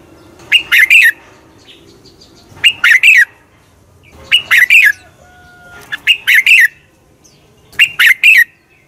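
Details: Red-whiskered bulbul morning fighting song for training birds: five short, loud phrases of two or three sharp, slurred chirps, repeated roughly every two seconds over a low steady background hum.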